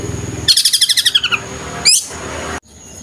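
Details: Long-tailed shrike singing vigorously, mimicking the calls of the tengkek buto: a fast, harsh, rattling run of about ten evenly spaced notes. It is followed by a single rising sweep, then a quiet pause.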